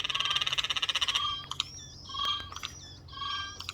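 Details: Eurasian jays, four birds on a windowsill making odd noises: a pulsed, rattling screech in the first second, followed by several clear whistled notes that rise and fall, mixed with short harsh clicks.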